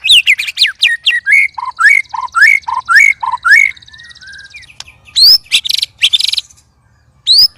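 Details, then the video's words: Sparring white-rumped shamas, three caged birds, giving loud unusual sounds: a rapid rhythmic series of swooping whistled notes over a faint buzz, a pause, then harsh bursts and high rising whistles. "Murai Keluar Suara Aneh Ketika Di Trex 3 Murai"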